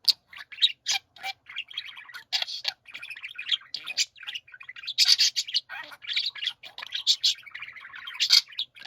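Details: Budgerigars singing together, nonstop mix of raspy warbling, squeaky whistles and sharp high chirps, loud and busy throughout.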